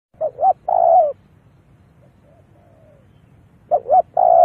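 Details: Spotted dove lure call used to draw wild doves in: two short cooing phrases, each a quick double note followed by a long, slightly falling coo, separated by a quiet pause of about two and a half seconds.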